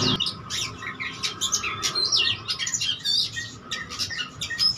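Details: Kacer, the oriental magpie-robin, in vigorous 'gacor' song packed with 'isian' fill-in phrases, challenging rivals: rapid jumbled whistles, slurred upward and downward notes and sharp chips tumbling one after another, a low constant hum beneath.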